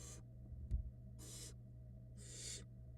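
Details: Barn owl nestlings, several downy chicks hatched from early February 2022, call as the female feeds them on a nest camera: three harsh, broadband hissing bursts, each about a quarter second, over a steady low electrical hum.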